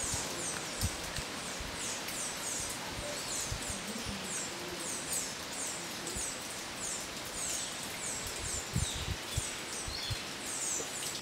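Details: Amethyst woodstar hummingbird at Sítio Macuquinho, Salesópolis, São Paulo, Brazil, bathing in the rain, giving thin, very high chips in quick, irregular runs over a steady hiss of rustling rain noise; a male yields the perch to a female.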